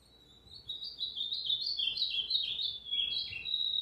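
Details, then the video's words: An Ultramarine Grosbeak sings a rich, flowing warble of sweet, slurred high notes rising and falling without pause for about three seconds, recorded on Tuesday, 29 August 2023. "AZULÃO PARDO CANTANDO MUITO"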